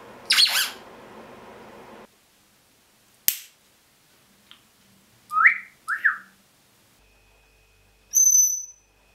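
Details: Pet African grey parrot making assorted noises indoors: a loud snap, short rising whistles in two quick bursts, and a high pure whistled tone near the end, separated by silences.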